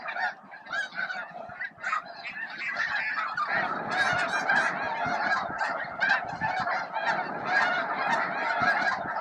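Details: Thousands of feeding snow geese at Bosque del Apache facing off for space at midday; chorus of honks builds from scattered calls into a dense, roaring mass of overlapping voices.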